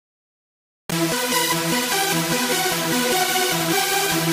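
After a short silence, loud electronic dance music begins, with a driving beat and layered synthesizer tones.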